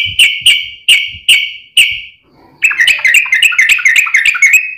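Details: Lure song of a yellow-vented bulbul, meant to prompt other bulbuls to sing back: five evenly spaced ringing notes, a short pause, then a hurried bubbling chatter of clipped notes.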